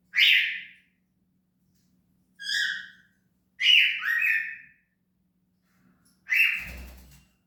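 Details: Cockatiel giving four separate chirping calls, each a bright harmonic note that swoops upward then fades, spaced by short silences, with a faint steady low hum in the background.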